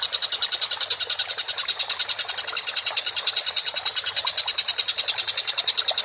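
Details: Tengkek buto, the Collared kingfisher, in an actively calling masteran recording: unbroken rapid chattering of harsh, rasping notes repeated about nine times per second throughout, at steady loudness.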